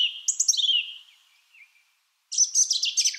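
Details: Song thrush singing a descending whistled phrase with a stuttered start, silence, then a dense, rapid scratchy twittering phrase.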